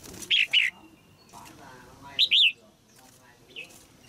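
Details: In a cage, a female red-whiskered bulbul sings to stimulate an adult male. She gives short paired whistles, then a rising-falling warbled pair and a softer closing note, over mild background noise.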